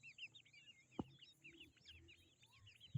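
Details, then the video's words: Grey francolin chicks giving a continuous chorus of thin, high, downslurred peeps, several overlapping, with a couple of soft thumps and a steady faint high hum in the background. "Grey francolin baby | Teetar chicks"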